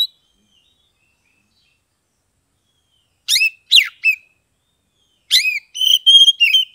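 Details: Oriental magpie-robin from Kebumen, Central Java, in loud 'ngeplong' style: after silence, three sharp downslurred notes, then a lively series of ringing whistles and quick slurred figures.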